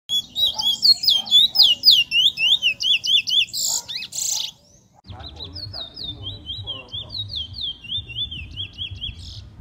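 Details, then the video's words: Trinidad bullfinch, a first-year black male showing potential, singing rapid repeated whistled notes sliding up and down in quick series, with a brief pause then a second lower run of rolling notes over faint background hum. "Congo Man 2(Trinidad bullfinch)"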